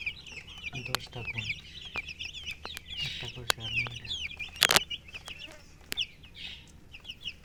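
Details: Baby chicks with hens chirping constantly, a dense chorus of high, short peeping notes overlapping throughout, with a few sharp clicks and a brief loud burst near the middle.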